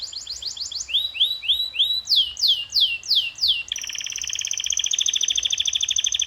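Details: Canary training song: quick falling notes, a series of rising whistled slurs, loud swooping descending syllables, then a long rapid two-pitched rolling trill to the end.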